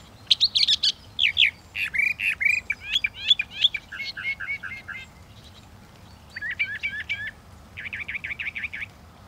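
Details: Varied, fast song of a Northern mockingbird: tumbling chirps and slurred whistles change phrase every second or so, ending in a clipped series of repeated rapid notes.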